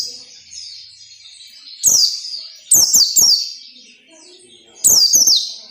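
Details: White-eye song in the 'ngalas nembak' style, used as training audio for captive birds: bursts of high, sharply descending whistled trills, sounded in short groups of one to two about a second or more apart, over a quiet background.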